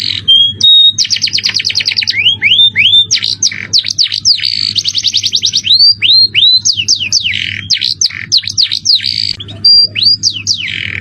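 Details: Canary with a shrill jerih voice singing elaborate cengkok mewah phrases for training other birds: a brief whistle, long rattling trills, groups of rising slurs and plunging notes, and a final held whistle, over a low steady hum.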